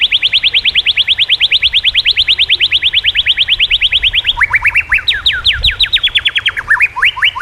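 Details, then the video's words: White-rumped shama training song: a long, fast, even series of sharp down-slurred notes for over four seconds, then lower broken trills and rapid strokes. "masteran burung murai. mewah awas! kesurupan"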